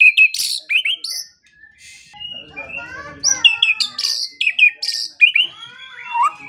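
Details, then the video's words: Morning and evening shama tutor song for silent birds: loud sharp whistled and chipped phrases in quick bursts, with a quieter stretch of soft scratchy warbling in the middle. "Pancingan dan Masteran Pagi dan Sore Hari Murai Pendiam Langsung Ikut Bongkar Isian | shama bird"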